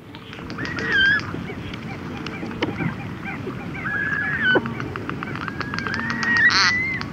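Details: Red-gartered Coot chicks and adults giving conversational calls, recorded close up: short whistled notes, some sliding down, scattered through the clip over a steady low rushing background and a few clicks.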